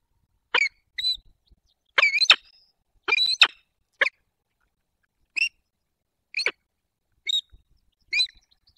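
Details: Peregrine falcons, a breeding pair tending their nest scrape in the Barycz Valley, 28 February 2023, calling around mating and arrivals at the nest. Loud, harsh, rasping notes arrive singly and in doubled bursts, spaced irregularly, against a silent background.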